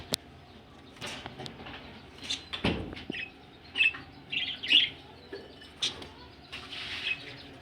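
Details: Budgerigars ready to lay eggs make separated scratchy chirps and short squeaky warbles, each lasting under a second, with a few sharp clicks in between.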